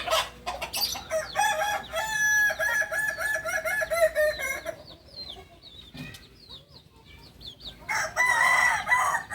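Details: Long stepped crow of a kukuak balenggek chicken, the singing fowl of Solok, West Sumatra: a drawn-out phrase of several level, descending notes, a pause with small birds chirping, then a second crow begins.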